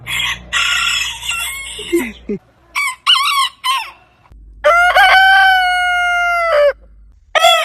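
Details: Crowing roosters: a raspy, noisy crow, then clipped wavering notes from another bird, and finally a long, clear, steady crow held about two seconds before dropping off, with a new crow starting at the end.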